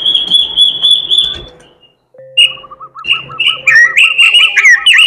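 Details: Robin singing melodiously and steadily, its song said to be filled with imitations: a long high whistled trill, a short pause, then loud warbled phrases over a row of short repeated lower notes.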